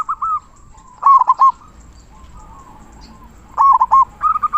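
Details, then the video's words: Local zebra dove giving its big 'kung' song to stir other doves to sing. Stuttering coo phrases, each several quick linked notes, are separated by pauses of about two seconds. "Perkutut Lokal Gacor Suara Kung Besar Masteran Burung Perkutut Agar Bunyi"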